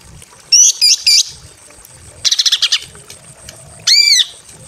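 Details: In a simple aviary, a breeding female greater green leafbird calls to a male: three bright twisting whistles, a rapid stutter of buzzy notes, then one ringing arched note, with low background rustle.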